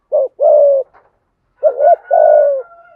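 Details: Spotted dove giving 'giọng thổ' and 'giọng hạp bổi' coos: two phrases of a short bent note and then a long, smooth coo. A faint thin steady tone runs beneath the second phrase.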